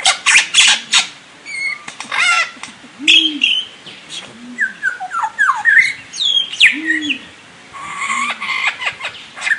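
A lyrebird pours out a loud, varied run of harsh rattles, sharp chips and clear falling whistles, over soft, low, rounded notes repeated every second or two.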